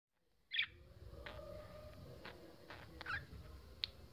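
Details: Two pet budgerigars in front of a mirror, one seeing itself for the first time, give short, bright chirps, scattered singly over a few seconds against a soft indoor hiss.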